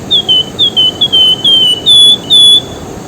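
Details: Singing Javan whistling-thrush, a tutor recording: a string of pure whistles, each starting with a sharp upward flick then gliding lower, about two per second, the last notes held longer.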